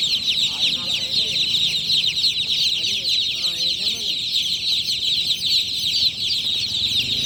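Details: Many just-born chicks peeping loudly at night, a continuous high chorus of rapid chirps, with a few lower wavering voice-like calls in the first four seconds.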